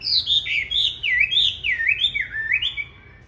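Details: Green-bean-eyed Chinese hwamei in fighting song, used as a model for training others to sing softly: loud clear whistles swooping down and up in a chain of wave-like phrases, fading at the end.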